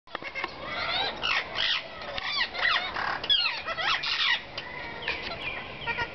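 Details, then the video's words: A flock of wild rose-ringed parakeets at a porch chatters in a steady run of harsh, rasping squawks and quick up-and-down screeches. They visit daily to see an adopted chick that fell from one of their nests. "Ringnecked Parakeets Chatting"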